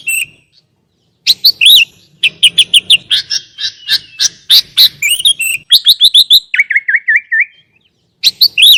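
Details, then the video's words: Dense, rapid chattering chirps and twitters from a sooty-headed bulbul master recording with rich fill-ins for training lazy singers, with a short run of wavering trilled notes and brief silent gaps. "Pancingan| Masteran Kutilang Isian Mewah RAJA PIKAT ini AMPUH MENJADIKAN burung kutilang gacor dor"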